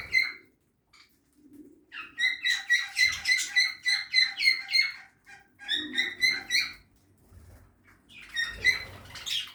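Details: Budgerigars feeding in a backyard aviary give a steady run of clear, ringing chirps, about three or four a second, in two bursts with a short pause, then more scratchy chatter at the end.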